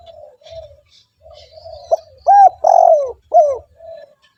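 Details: Spotted dove call played to lure wild doves: a few quiet low hums lead into a run of loud arched coos, one long drawn-out falling note among them, then a soft hum to close.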